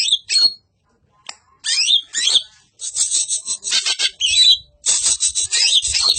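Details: Harsh-voiced song of a greater green leafbird, kept as a tutor recording for other songbirds: shrill, scratchy whistles and slurred notes open haltingly, then build into dense, continuous high chatter with quick rising and falling phrases.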